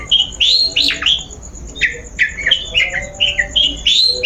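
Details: Long-tailed shrike sound meant to lure a bird into singing: a lively run of varied whistled and chattering notes, rising and falling, packed closely together, with faint ticking behind.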